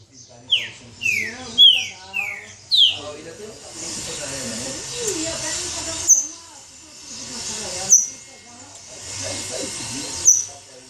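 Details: Captive pixarro (Green-winged Saltator) from an aviary in Sorocaba, São Paulo, Brazil, calling angrily. A quick run of bright descending whistled notes opens, followed by sharp high metallic clicks repeated about every two seconds over a steady hiss.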